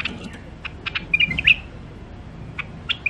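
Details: Wild-caught songbirds from the Mandali border crossing area of Iraq, kept caged for sale, give scattered sharp high chirps and short bright notes, a few louder clustered near the middle and end, over a low room hum.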